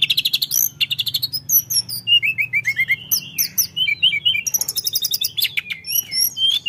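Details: Sunda forktail, known locally as tledekan gunung, singing busily: a fast, varied run of high, sharp chirps, short downslurred whistles and trills delivered in quick bursts, with a faint low hum underneath.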